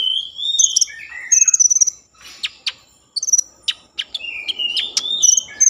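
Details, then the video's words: Common iora singing to rouse breeding mood and draw song from other ioras: drawn-out whistled notes, rapid high twittering and scattered sharp clicks. "Konin gacor Mambangkit kan Birahi || pancingan konin agar bunyi"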